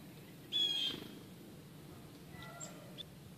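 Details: A chickadee at Ipswich River Wildlife Sanctuary, where the birds follow walkers along the trails and take seeds from open palms, gives one clear, high, slightly wavering whistled note, then a few faint, thin tones over quiet hiss.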